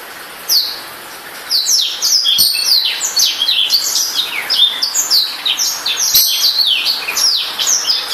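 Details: Newly acquired pet black-throated canary delivering a long, fast, jumbled song of high whistles, downward-slurred notes and twittering phrases. The singing starts after half a second and continues without pause, with a couple of faint clicks in the background.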